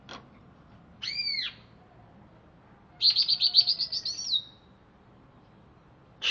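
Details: Greater green leafbird from Alas Purwo, Banyuwangi, freshly bathed: an arched whistled note followed by a fast, even trill of sharp chirps lasting over a second, with long quiet pauses between.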